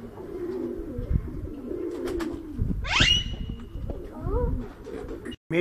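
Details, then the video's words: Rose-ringed parakeet at Bahria Town, Lahore, Pakistan: low murmuring, then a single shrill rising screech with a thin trailing tone, followed by a few faint, wavering notes. "Ringneck Parrot Talking"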